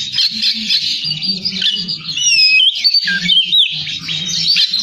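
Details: Oriental magpie-robin in full song: rapid high chattering notes mixed with clear whistled slurs, some rising and some falling, delivered without a break over a low hum.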